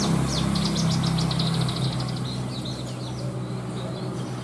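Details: Branjangan (Horsfield's bush lark) singing its elaborate 'isian' material: a rapid run of bright high down-slurred chips merges into scratchy, varied warbled notes that fade out, with a constant low droning hum underneath.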